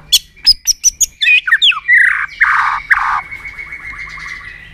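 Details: White-rumped shama in an aggressive tail-flicking display, singing to stimulate rival birds: a few sharp clicks, then rich whistled slurs and harsh buzzy notes fading into a sustained, trembling tone.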